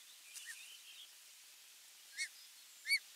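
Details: An osprey chick waking lively to a new day, 3 July 2022, gives two short, high, slightly downslurred whistled chirps about a second apart, after a few fainter chirps, over a soft steady background hiss.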